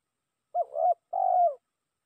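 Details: Spotted dove used as a lure, calling a rival: two low, mellow coos, the first broken and wavering, the second longer, steady and falling at the end, separated by a short pause, with no background sound.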